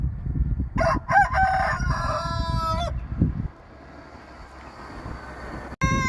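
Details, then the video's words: A rooster gives a loud, harsh crow of about two seconds that rises, holds and drops at the end, with a second crow starting just as it closes; low rumbling noise underneath. "Rooster Crowing"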